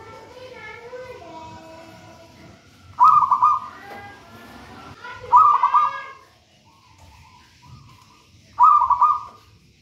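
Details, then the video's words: Local wild zebra dove, taken from a nest in a raja banana plant, singing vigorously: three stuttered, rolling coo phrases spaced a few seconds apart. Harmonic whistled calls from another bird come earlier. "Perkutut manggung gacor"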